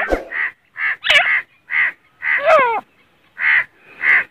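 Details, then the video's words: Calls of a Grey francolin from Pakistan: a series of loud, rasping, crow-like notes in steady rhythm, roughly seven in four seconds, mixed with a few sharp clicks and wavering voiced sounds. "Teetar ki boli | teetar voice | Gray francolin | teetar ki awaz"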